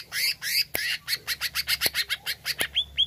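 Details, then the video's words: Harsh, scratchy greater green leafbird notes repeated about three times a second, ending in two sharp rising whistles; the song is used to stir up a kept leafbird. "HANYA PLAY CUCAK IJO INI UNTUK PANCING EMOSI IJO ANDA"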